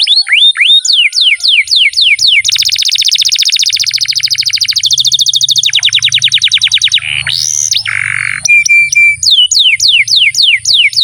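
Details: Long canary song meant to prompt quiet birds to sing: repeated falling whistled sweeps lead into fast rattling trills, a harsh burst and steady tones, then the sweeps return, over a faint low hum.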